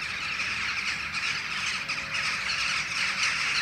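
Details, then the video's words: A flock of jackdaws sitting in a tree in front of the setting full moon, original sound: a dense, continuous chatter of overlapping harsh calls from many birds. "Dohlen beobachten den Vollmond / Jackdaws are watching the full moon"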